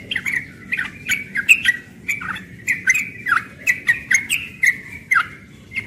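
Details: Young yellow-vented bulbul singing in the morning in the rapid ropel style: a rapid, continuous chatter of short bubbly notes sliding up and down, mixed with sharp clicks, over quiet low background hum.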